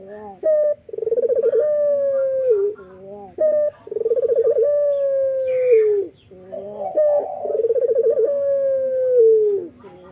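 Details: A male Barbary dove in the morning gives three low, rolling coos, each a short note followed by a long purring phrase, every three seconds or so.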